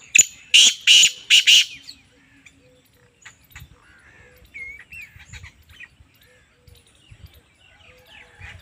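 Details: Female black francolin (kala teetar), calling: four loud, harsh, grating notes in quick succession within under two seconds, followed by quiet background chirps and a brief whistled note from other birds.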